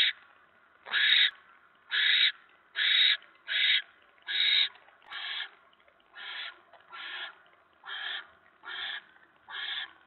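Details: Barn owls at a nest, in the evening of 10 November at 7:50 PM, when a mouse is delivered: a series of harsh, breathy hisses, each lasting about half a second, repeated roughly every second, with the later ones fading slightly.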